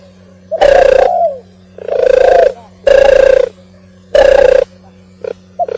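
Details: Oriental turtle dove song, a series of loud, throaty, hollow coos, each ending with a slight downward slur, followed by two short clipped notes, with a faint constant low hum behind.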